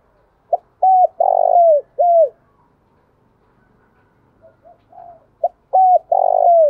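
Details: Spotted dove cooing to provoke rival males, in repeated phrases. Each has a clipped opening note, arched coos and a long falling coo. Softer, lower coos fill the gap between the loud phrases.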